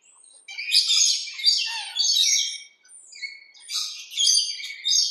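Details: Backyard rainbow lorikeets chattering with grating, shrill squawks in rapid overlapping bursts, a quieter gap near the middle, then another loud run of screeches.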